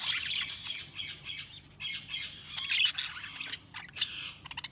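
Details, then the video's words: Budgies chattering in a steady stream of high, scratchy warbled chirps and short squawks, rising and falling in loudness, with a cluster of sharp clicks near the end. "Budgies Sounds| Budgies Chirping sound"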